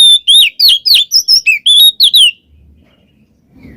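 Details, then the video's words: Oriental magpie-robin singing in the ngeplong ngekek style, used as a lure to get a quiet magpie-robin singing: a fast run of loud, clear whistled and slurred notes, many rising then falling, for over two seconds before quiet. "suara burung Kacer NGEPLONG ngekek cocok buat pancingan Kacer males bunyi"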